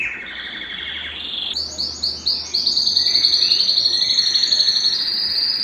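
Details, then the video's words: A Belgian canary sings high, bright trills used to excite other canaries and stimulate females, shifting from a buzzy roll into rapid repeated chirps, about four notes a second, over a faint low hum. "Canto Para Esquentar Canário Belga e Foguear as Fêmeas"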